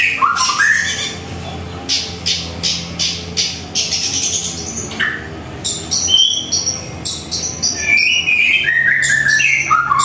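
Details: White-rumped shama in full morning song at a home, mixing harsh scratchy bursts repeated about every half second with clear rising whistles and falling slurred notes, varied and energetic throughout.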